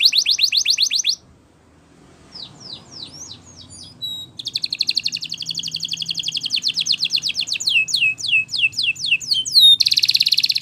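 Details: Spanish Timbrado canary training song: a rapid trill, a pause, thin sweeping notes, then a long dense pulsing roll, a series of falling whistles and a final buzzy trill.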